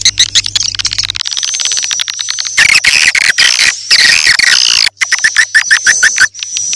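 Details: Lure recording of edible-nest swiftlets for attracting birds to a swiftlet house day and night: chattering chirps that swell into a loud, dense twittering burst midway, over a thin high tone, with a low hum early on.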